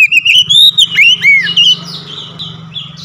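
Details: A home-kept Oriental magpie-robin sings a fast run of clear, sliding whistles that rise and fall, with a few buzzy notes, over a faint low hum.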